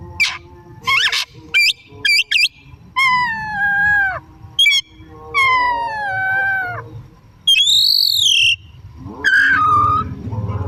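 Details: Oriental magpie-robin singing in the afternoon, used as a lure for other birds: sharp upswept whistles, then long descending slurred notes with rich overtones, an arched high whistle and a closing rough phrase.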